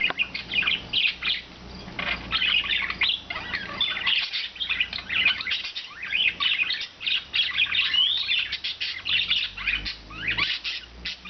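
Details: Four rescued pet budgerigars, one blue, one green and two white, living free all day; dense, continuous twittering chatter of quick high chirps and warbles overlapping throughout, with short squawky notes mixed in.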